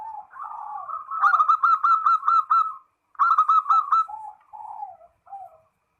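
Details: Zebra dove calling a rival, sounding a run of rapid, evenly spaced staccato cooing notes in two bursts, followed by softer, falling coo phrases.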